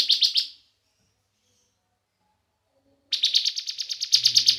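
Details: Bar-winged prinia (ciblek), a young bird, singing as a lure to stir other prinias into song: a short burst of rapid, evenly pulsed high buzzy notes, a long silent gap, then another long fast pulsed trill, with a faint low hum near the end.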